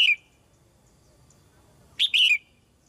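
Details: Caged female red-whiskered bulbul singing to prompt newly matured birds to sing. The tail of one phrase is followed by a pause, then a crisp warbled phrase of three quick notes.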